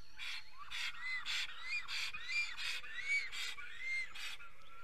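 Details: Estonian black stork at its nest at dawn, 5:48 on 10 April 2020, singing a steady run of wheezy, hissing bursts about twice a second, with short rising and falling whistles between the bursts.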